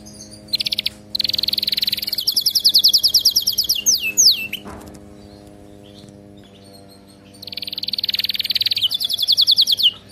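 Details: Training song of a canary: two long bursts of fast, high, ringing trills separated by a quiet pause, with a few sliding whistles between the rolls.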